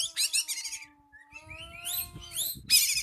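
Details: Oriental magpie-robin lure song to call a rival: a chattering burst of high notes, a quieter gap with a steady low tone, then climbing whistled phrases and a final loud rattle.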